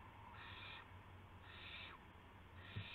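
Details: Owl at dawn on March 26, 2016, with a gopher and a mouse brought as prey; three fainter drawn-out raspy hisses about a second apart, plus a sharp click near the end and a low steady hum.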